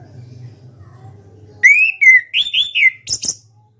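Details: Caged orange-headed thrush (anis kembang), a national champion contest bird, sings in the open ngeplong style. A low hum gives way to loud, rich whistled phrases, slurred and warbling, closing with two short harsh buzzy notes.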